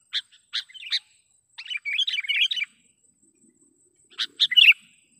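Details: Trapping lure call of a sooty-headed bulbul: a few sharp chips, then a short burst of chattering, warbled notes, silence, and a final brief bubbly phrase.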